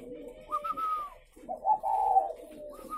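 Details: Spotted dove kept captive at a breeding farm in Ba Vì, Vietnam, giving soft, hollow coos in two phrases, each a low humming note that rises into a brief higher tone, with faint room echo.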